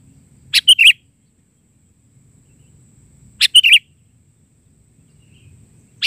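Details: Sooty-headed bulbul in vigorous isian (filler) song in the bahari style. Two short, bright phrases of three quick chirps each are separated by a pause of nearly three seconds, with a third beginning at the end, in quiet surroundings.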